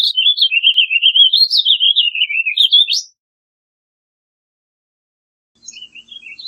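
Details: Warbling vireo singing a long, fluid warble of rapid looping notes for three seconds, ending on a sharp upward slur, then a quieter phrase begins after a pause.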